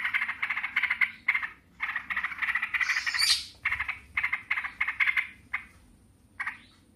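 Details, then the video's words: Yellow-vented bulbuls in a noisy 'ngebren' exchange: buzzy chattering phrases about half a second long, a shrill squeal in the middle, then quieter with one last burst. "TRUCUKAN RIBUT NGEBREN SAUT SAUTAN"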